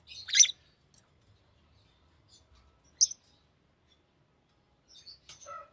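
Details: Green lovebird chirping: three sparse, harsh, high-pitched chirps, the first loudest, spaced a few seconds apart in a quiet room, with a soft rustle near the end.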